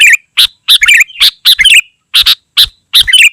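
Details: Dense sooty-headed bulbul singing with harsh chattering bursts and brief bubbling, wavering whistled phrases tumbling one after another.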